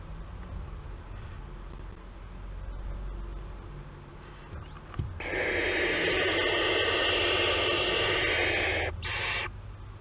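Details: Nest-box barn owls, Théding, July 2022: after several seconds of low background hum, a sustained harsh hissing screech runs nearly four seconds, breaks off, then resumes briefly.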